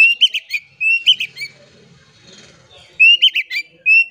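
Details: Oriental magpie-robin song meant to coax quiet magpie-robins into singing: short bright phrases of rising whistles and quick chirps, a quiet gap with soft murmuring, then the phrases resume.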